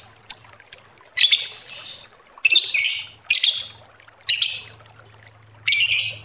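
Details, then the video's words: Lovebird chattering in a lure recording: two quick thin chirps followed by a series of harsh, scratchy squawks about a second apart, with a faint low hum underneath. "Suara Lovebird ngekek panjang pancingan ampuh"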